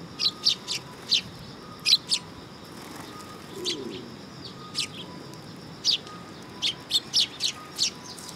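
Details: Sparrows visiting a perch platform at a Tenmangu shrine on 3 September 2022, chirping in lively bursts of quick high notes, with a quiet stretch in the middle and a faint low hum.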